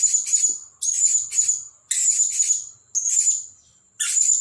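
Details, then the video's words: Newly bought caged Blue-crowned hanging parrot used as a lure bird, placed in front of the main decoy: piercing high-pitched bursts of rapid squeaky notes, about one per second, linked by a sustained thin whistle-like tone. "Denak Pemikat Burung Serindit Dada Merah"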